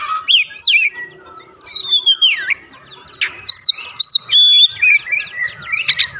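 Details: Oriental magpie-robin singing to stir other birds into song: varied loud whistles, rising and falling slurs and short scratchy chatters in irregular phrases, faint background twittering.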